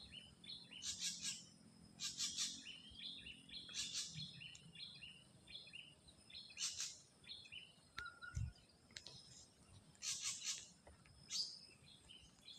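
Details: Ashy drongo singing in the wild: bursts of clear whistled and chirpy notes with buzzy high elements, repeated every one to two seconds, over a faint low hum, with a single dull thump near the end.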